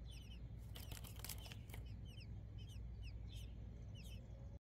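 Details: American robin nestlings in a nest in a blackberry bush give thin, high, down-slurred chirps in quick clusters, with a few sharp clicks and a low steady rumble underneath.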